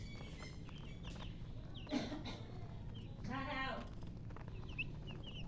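Chicks give thin, high peeps scattered through the clip, with a lower, drawn-out hen call midway and a low background hum.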